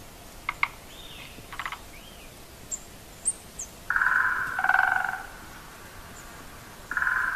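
Great spotted woodpecker giving a few sharp, clipped 'kik' notes, then longer harsh, buzzy rasping bursts; faint higher chirps in the background.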